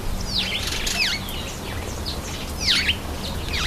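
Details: Cape sparrow taking a bath, giving sharp, high, downward-swept chirps in quick bursts, about five or six over four seconds, alongside broadband splashing and wing-flutter noise and a low steady hum beneath.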